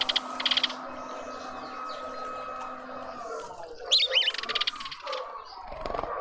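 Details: A party of mousebirds in a suburban garden feeder in Pretoria, South Africa, gives short bursts of high, buzzy chirps, first at the start and then as a denser twittering cluster near the end, over a steady low hum.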